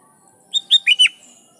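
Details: Lively sooty-headed bulbul song meant to call rivals and prompt wild bulbuls to reply: one short phrase of four bright, quick whistled notes, the last two dropping and slurred, against a quiet background.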